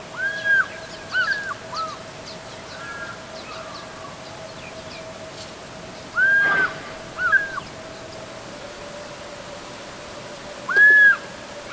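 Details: Fish eagles calling in the distance on a hot March 2019 afternoon: ringing, arched yelps in short bursts of two or three notes every few seconds, over a steady low drone.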